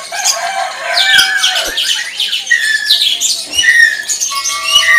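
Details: Greater green leafbird singing in the tembakan style: loud, clear whistled phrases, some sliding down and others held steady, delivered in quick bursts with sharp chattering notes between and a few faint clicks.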